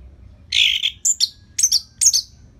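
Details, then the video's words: Orange-headed thrush from Singaraja, North Bali, kept as a tutor for other songbirds: a rasping burst followed by three sharp high double notes, each a quick whistled slur, steady low background hum. "Dipancing Dengan Kicauan ANIS MERAH Gacor Selow Ini"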